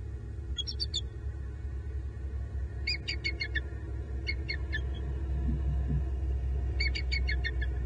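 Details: Wild bald eagle pair on a southwest Florida nest tree before dawn, November 2021, alert and calling; short bursts of high, staccato chittering notes, three to four bursts spread across the clip, with a constant low background rumble.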